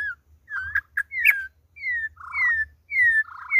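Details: Campo troupial on its second day, giving clear, drawn-out whistles that slide downward. The whistles alternate with short buzzy, rattling notes at a lower pitch, each phrase about half a second long, over a faint background hum.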